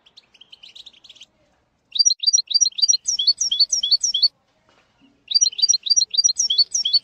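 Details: Song of a European goldfinch played for training a young bird, rapid repeated twittering notes in quick series, bright and liquid, with brief quiet gaps between phrases.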